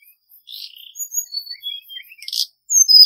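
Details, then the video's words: Male Hill Blue Flycatcher song used as a trapping lure, in a forest-voice style: thin high whistled notes, some falling and some buzzy, spaced through three seconds, ending with louder sharp rising and falling whistles. "Tiếng chim Hồng hạnh trống mồi"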